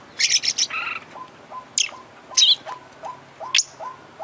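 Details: Prize-winning Oriental magpie-robin pouring out a song filled with borrowed phrases: a fast high rattle, a harsher buzz, then soft low notes ticking regularly under sharp descending whistles.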